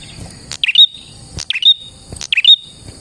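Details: Prinia song used to lure prinias: three short phrases, each a sharp snap followed by buzzy twittering and a thin high whistle, roughly every second, over a steady high-pitched whine.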